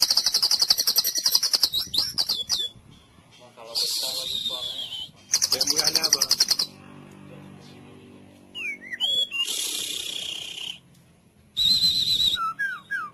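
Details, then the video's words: White-rumped shama delivering full cililin training song, with bursts of fast high trills alternating with slurred whistles and sharp chips, separated by gaps. "MASTERAN MURAI FULL CILILIN bikin JAGOAN JADI NGOTOT di LAPANGAN"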